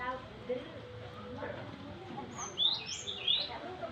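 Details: A young Java sparrow, still partly green, opens with faint low tones, then gives three shrill, high, rising notes close together near the end.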